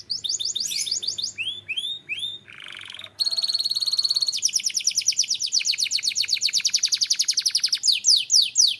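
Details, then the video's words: Belgian canary song made of repeated downward-swooping whistles, a brief harsh buzzy burst, then a long fast rolling trill of crisp clicks and a final run of curved notes. "Belgian Canary Singing"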